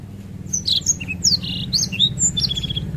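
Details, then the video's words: Softer passage of Black-throated canary ngerol singing, scattered high chirps and swept whistles ending in a short level trill, set against a noticeable low rumbling hum. "Burung Blackthroat Ngerol Enak Durasi Panjang"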